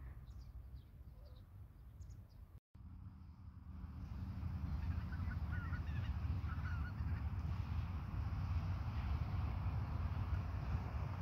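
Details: Greater white-fronted geese in a flock feeding in a rice paddy, foraging calmly at close range; faint, short honking calls cluster in the middle of the recording over a strong, steady low wind rumble, with a brief dropout near the start.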